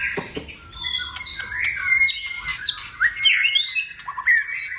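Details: Caged white-rumped shama, kept for songbird competition, singing a varied series of sharp whistled notes and slurred rising and falling phrases, with some harsh chips between; a man talks briefly before.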